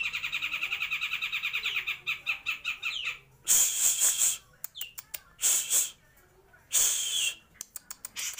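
A grey-cheeked bulbul gives a fast, even trill of bright notes for two seconds, then loud harsh chattering bursts broken by sharp clicking notes.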